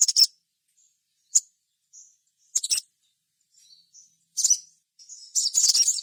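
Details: Crimson sunbird (sogon) in full song, offered as a lure to make other sogon sing: short, very high, scratchy chirps in scattered bursts separated by pauses, with faint thin whistles between them.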